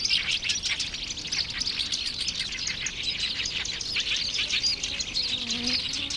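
A black-browed reed warbler pours out a fast, continuous chatter of high, scratchy and squeaky notes with no real pauses. A faint low hum sits underneath.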